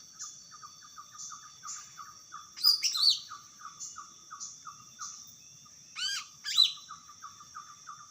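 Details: Greater green leafbird in the wild delivering two short bursts of sharp, sweeping high notes amid a continuous string of soft, regularly spaced chirps and a faint high buzzing drone.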